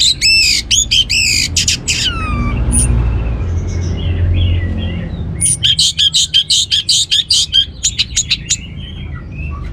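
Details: Orange-headed thrush song used as a lure to get other birds singing: bursts of rapid, sharp high notes and downward-swooping whistles, a quieter warbled middle section, then another fast volley of clipped notes, with steady low hum beneath.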